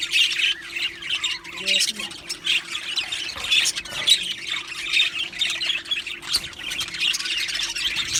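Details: Budgerigars chattering as a group: harsh squawky notes, grating warbles and a few brief tonal squeaks mixed into a constant high babble, with a steady hum in the background.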